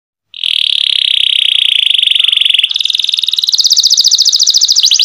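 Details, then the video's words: Canary song in the cenkok style: a long steady whistled trill held for over two seconds, then a faster, higher rolling trill of rapid repeated notes, loud and clear with no other sounds. "LUXURY CENKOK CANARI SOUND, CLEAR SOUND"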